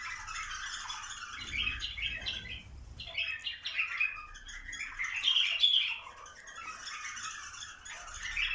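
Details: Bulbuls prompted to mate, giving a busy mix of chirps, chatter and sharp whistled notes that rise in intensity around the middle, over soft low thuds and rustling.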